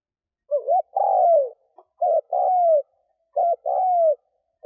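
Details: Spotted dove used as a lure for wild doves. It gives three mellow cooing phrases, each a short double-humped note followed by a longer coo that slides downward, evenly spaced about every 1.3 seconds.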